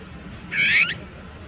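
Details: Azure-winged magpie, a crow-family bird, tangled and stuck in bird-protection netting, recorded on a Nikon compact camera; a single harsh, nasal, rasping call lasting under half a second over quiet background hiss.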